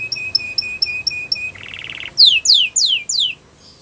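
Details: Singing canary used for training: six evenly spaced short whistled notes, a soft buzzy trill, then four loud downward-sweeping slurs about a third of a second apart.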